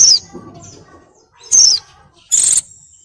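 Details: Breeding female oriental white-eye calling to attract a male: two high, thin, falling notes, then a harsher broadband burst ending in a brief steady high tone.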